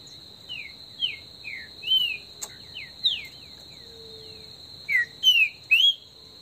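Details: Green-winged saltator in the Brazilian bush delivering the esquenta warm-up song: a quick run of short descending whistles, a pause, then a louder cluster of three strong slurred notes, with a steady high drone behind.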